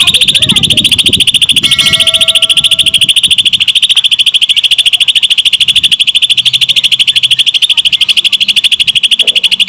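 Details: Greater green leafbird singing a lovebird imitation in dense rapid bursts: a fast, steady, high chattering trill of even pulses throughout, with a few faint short tones early on and a low murmur underneath.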